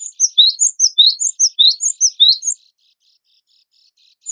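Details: Vigorous cinereous tit (gelatik batu wingko) song compiled as competition tutor material: a lively two-and-a-half-second string of bright alternating chirps, followed by near silence and one final note at the end.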